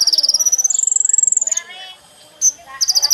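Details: Sunbird song used as a lure: a long, rapid, high trill that slowly rises and then drops away, followed by a quiet gap, one sharp note and another short high trill.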